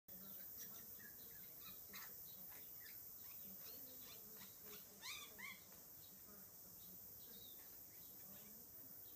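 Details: Kokako song: scattered short whistled and slurred notes, with a pair of louder bending, rising phrases about halfway through, all set against a constant high insect hiss.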